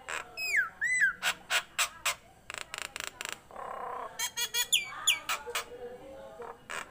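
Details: Tame captive Nias hill myna in full, lively song: loud downslurred whistles at the start, then a run of sharp harsh clicks and rasping notes, more whistled slurs around the fifth second, and a closing snap.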